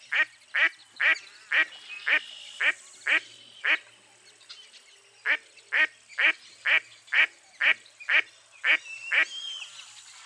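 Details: Mottled duck delivering eight rapid rasping quacks, a brief gap, then nine more at the same pace of roughly two per second.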